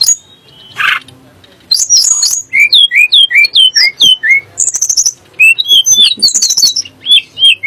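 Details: Song of a Sunda blue robin, used to stir magpie robins and shamas to sing: a long run of rhythmic, evenly spaced slurred whistles, each swooping downward, mixed with higher twittering notes.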